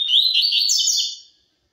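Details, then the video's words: A single loud, high, rippling and buzzy phrase from a double-collared seedeater, about a second and a half long, in the pure 'tui tui zel zel' song style. It fades out into silence. "COLEIRO TUI TUI ZEL ZEL PURO"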